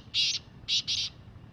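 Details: A free-living black francolin in the wild gives three rasping, buzzy notes: one longer note, a pause, then two quick notes in succession. Faint low rumble behind.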